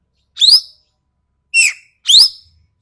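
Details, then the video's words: Sharp, harsh calls of a Sumatran common green magpie for a tutor recording: a shrill rising screech, a pause, then a grating downward note joined to another rising screech. "MASTERAN BURUNG EKEK KELING SUMATERA SUARA TAJAM DAN KASAR"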